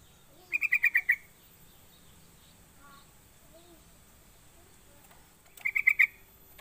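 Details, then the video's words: Sooty-headed bulbul call played as a lure to get other bulbuls calling quickly: two bursts of six fast, bright chattering notes, one at the start and one near the end, with quiet rural background between them. "Pancingan Trucuk biar cepat bunyi gacor"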